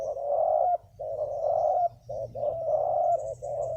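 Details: Wild spotted dove with a big, well-delivered voice at a ground decoy site, giving loud, continuous rolling coos in close succession, long drawn coos alternating with shorter ones.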